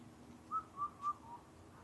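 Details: Indian cuckoo recorded in Karuizawa, Japan, where the species is a rare visitor: four clear, mellow whistled notes about a quarter second apart, the first three level and the last slightly lower and fainter, over a quiet background.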